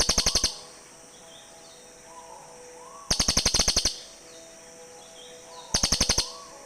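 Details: Cililin birds answering one another, a recording used to lure birds in forest: three short volleys of fast, sharp chattering clicks spaced about three seconds apart, faint background hum between.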